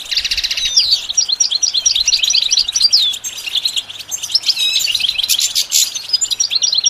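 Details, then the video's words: Goldfinch song opening with a buzzy burst, then a steady stream of high bright chirps and whistled slurs, ending in a denser buzzy flourish. "The basics of training the goldfinch to sing"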